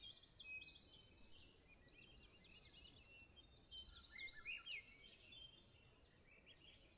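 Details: A Bay-breasted Warbler singing on territory in boreal forest in Maine gives a very high, thin run of rapid, evenly spaced notes lasting about a second, with faint high chips and another bird's brief lower trill nearby.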